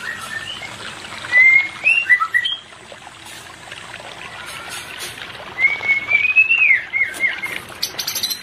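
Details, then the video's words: White-rumped shama, used to stimulate a non-breeding pair: two short bursts of clear whistles, a rising-falling phrase and a longer wavering whistled line, over steady hiss like trickling water. "Terapi Cepat untuk menaikan pasangan murai Batu yg Tidak Birahi"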